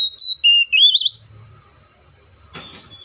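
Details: Short burst of oriental magpie-robin whistling, a level note, a lower note and a wavering rising trill, followed by quiet and a brief knock.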